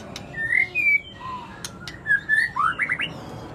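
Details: Lively white-rumped shama song: pure whistled notes at varied pitches, ending in a quick run of rising chirps, with sharp clicks and a soft hum in the background.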